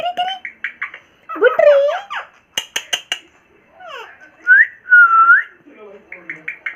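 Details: Pet Indian ringneck parrot making funny sounds: a jumble of squeaky chatter, rising and falling whistles, sharp clicks and two long, clear whistled notes, with short pauses between bursts.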